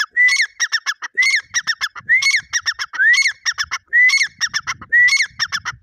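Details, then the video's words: Grey francolin, known locally as teetar, giving a loud repeated call: a rising whistled note followed by a quick series of sharp harsh notes, the phrase repeated about once a second; faint low background noise. "Irani dakhni teetar ki awaz Beautiful voice Beautiful sound"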